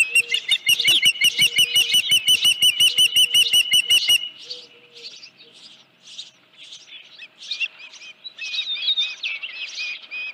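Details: Osprey calling at the Dunrovin Ranch nest on 31 July 2018, around the delivery of a headless fish in the morning; a loud run of about twenty sharp whistled chirps over four seconds, then softer scattered chirping.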